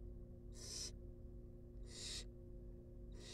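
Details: Wild barn owl chicks in a monitored nest box being fed, giving harsh, broadband hissing snores, each about a third of a second long and spaced over a second apart, over a steady low electrical hum.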